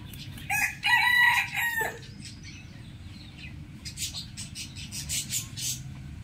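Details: Rooster crowing in the morning: one loud, harsh, harmonic crow of about a second and a half, rising then held before cutting off, followed by scattered thin chirps from small birds over a low steady rumble.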